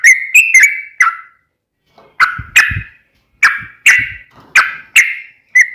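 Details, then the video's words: Sooty-headed bulbul in a fighting style, used as a lure to make another bulbul answer. Short bubbly whistled notes come in separate bursts with pauses between them, alongside a few low thumps. "KICAU SUARA trucukan gacor TARUNG ROPEL PANJANG"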